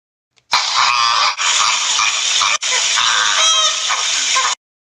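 Flamingos in a dense flock give a steady, nasal clamour of overlapping honks and grunts for about four seconds, with a brief break partway through.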